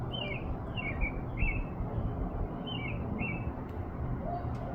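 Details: American robin in Minnesota, USA, singing in the evening in April, possibly planning to nest under an awning; a few short warbled whistles come in two loose bursts, then a pause, over steady low rumble.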